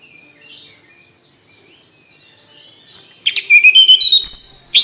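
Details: Mountain tledekan flycatcher song: quiet lead-in with a soft chirp, then a bright run of pulsed whistled notes climbing stepwise in pitch, with the start of another phrase at the end.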